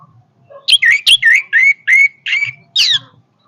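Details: Energetic orange-headed thrush song, a quick series of loud whistled notes sliding downward, several bright and clear, one long steady whistle in the middle, ending with a high buzzy slurred flourish.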